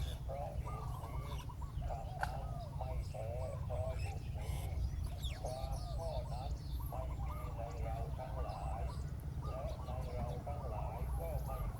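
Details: Spotted dove luring a wild dove to land on the ground. It gives repeated bursts of soft, wavering low coos with brief pauses between, amid a heavy low hum and scattered faint high bird notes.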